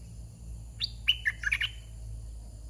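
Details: Caged red-whiskered bulbul decoy singing a soft wild-style 'soe' phrase: a rapid run of clear, bright whistled notes, rising then dipping, over a faint low hum.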